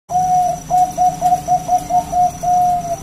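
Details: Local zebra dove from the wild, loud and clear, recorded as a lure to draw other zebra doves into singing: a series of soft, even coos, a long first note, then short clipped notes, and a drawn-out final coo.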